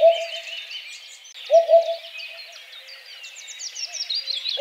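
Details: Eurasian Hoopoe song: low, soft hooted notes in quick groups, repeated about every one and a half seconds, over a busy background of higher chirps and twitters from other birds.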